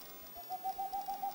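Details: Boreal owl (Aegolius funereus) gives a rapid run of soft, hollow, low hoots, about eight per second, steady in pitch and swelling in volume, against faint background hiss.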